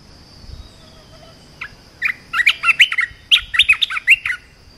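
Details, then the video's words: Red-whiskered bulbul song meant to teach young birds: a lively run of bubbly, slurred whistles in two close phrases, each made of quick notes. A continuous thin whine is present in the background. "เสียงนกกรงตาแดงEp.168 เสียงหัดนกลูกเสอ เพลงเพราะ น่าฟัง"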